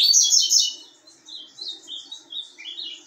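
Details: Ultramarine grosbeak singing in a soft, subdued style on 10 January 2023: a louder high twittering burst at first, then quieter high warbled notes wavering in a loose rapid series.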